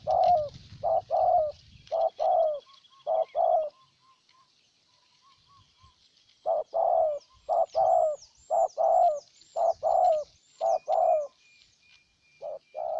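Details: Spotted dove decoy bird in Ninh Thuận, Vietnam, cooing to lure a wild dove: pairs of low, hollow coos repeated in bursts, a pause of about two seconds mid-way, with thin high chirps of other small birds above.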